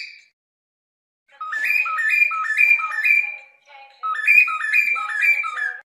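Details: Cockatiel repeating a stepped two-note whistle, low then high, about twice a second in two long runs with a short break between them.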